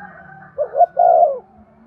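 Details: One spotted dove phrase, used to prompt males to coo: two quick soft notes then a long, round, falling coo, with faint low hum behind.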